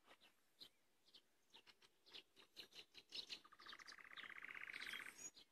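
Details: A common nightingale (Luscinia megarhynchos) singing in May gives sharp clicking notes, then a fast, rattling trill of rapidly repeated notes.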